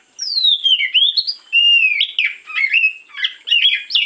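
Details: Oriental magpie-robin (kacer) singing in the morning as a lure: loud, clear whistled phrases sliding down then rising, mixed with quick varied chirps and short bursts, nearly continuous over four seconds with no other sounds.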